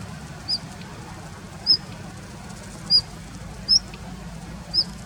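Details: In a plum grove held as its winter territory, a Daurian redstart, filmed in late February 2021, repeats brief, piercing upslurred whistles at uneven intervals of about one second over a low steady hum.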